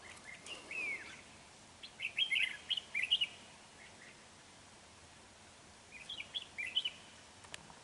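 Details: A big, dark-bibbed red-whiskered bulbul sings as a decoy bird while trapping on 31 January 2019, giving clusters of quick, bright warbling notes that rise and fall, then a pause before another short phrase.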